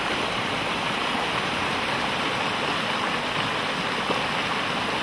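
Steady rushing water of a stream at Ascochinga, Córdoba, Argentina, fills the whole recording, with no animal call standing out.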